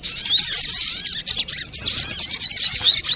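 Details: Sunbird calls used as a lure: steady, high twittering with fast, thin chirps overlapping almost without a break.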